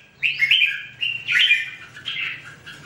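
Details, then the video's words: Red-whiskered bulbul singing: three loud, bright whistled phrases, the first long and warbling, then two shorter slurred notes about a second apart, with a faint low hum underneath. "The Sound Of The Birds Singing Wonderful: Birds Red-whiskered bulbul"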